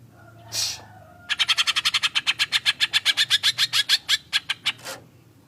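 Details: Green leafbird singing with cucak jenggot (grey-cheeked bulbul) material, full of rough bursts: after a brief harsh note, a fast run of about twenty sharp, chattering notes repeated several times per second, ending in a few spaced notes.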